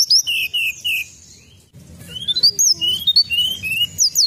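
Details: Lure recording of a Sunda robin: three level whistled notes, a short pause, then a lively series of high slurred whistles, rising and falling, repeated rapidly to the end.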